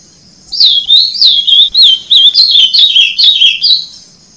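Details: Ultramarine grosbeak (Cyanocompsa brissonii) singing a loud, fast warbled phrase of sliding, slurred whistles that rise and fall, delivered continuously for about three seconds against a faint steady high hiss.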